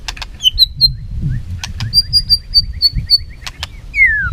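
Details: White-rumped shama singing competitively with tail flicks: thin high whistled notes and soft repeated chirps, spaced by sharp clicks, closing with a long descending whistle.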